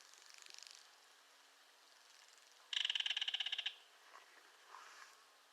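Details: Belted kingfisher: one loud, rapid rattle of roughly a second made of dry clicking pulses, after a fainter rattle at the start and followed by a few soft, low notes.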